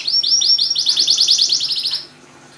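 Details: Canary singing to get silent canaries to sing: a loud series of high, quick, slurred repeated notes, about six per second, ending abruptly into quiet.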